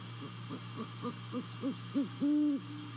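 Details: Great horned owl hooting at a Savannah nest at night, 28 December 2020, via nest camera: a rapid accelerating series of short low notes swelling into one long deep hoot, with a constant hum beneath.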